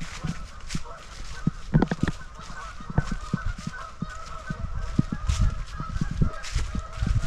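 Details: A dense chorus of many geese at a waterfowl resting refuge at Shabbona Lake State Recreation Area, Illinois, giving overlapping nasal honks at an uneven pace over low rumbling background noise.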